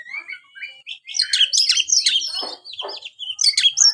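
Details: Oriental magpie-robin song, used to rouse a kept bird that is reluctant to sing: rising whistle, then a dense burst of varied chirps, rapid trills and sweeping high notes, with short harsher bursts, all without pause.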